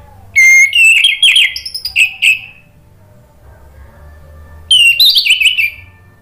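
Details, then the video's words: Orange-headed thrush singing in the gacor ngeplong style, used to prompt another bird to sing: a loud burst of varied whistles and chirping notes lasting about two seconds, a pause of soft background hum, then another whistled phrase. "PANCINGAN ANIS MERAH agar BUNYI jadi NYAUT GACOR NGEPLONG"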